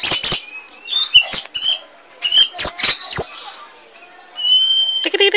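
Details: Oriental magpie-robin of the kacer poci variety, singing nonstop in a gacor, chatty style: sharp clicks and chattering bursts mixed with clear high whistled notes, ending in a long steady whistle and a rapid note burst.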